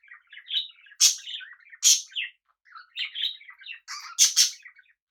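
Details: Pet budgerigars kept together with cockatiels: quick chirpy warbling chatter in high twittering notes, broken by several loud harsh broadband screeches, one near the start and a pair near the end.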